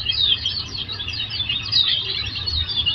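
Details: Short burst of soft, high twittering and warbled chirps from Oriental white-eye, a recording played to get caged birds singing in reply, slightly muffled, with low background rumble.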